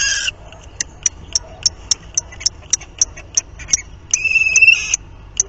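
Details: Common kestrel at its nest on 30 March 2019, recorded during copulation; a run of short sharp ticking notes about four per second, then a drawn-out harsh whining call near the end.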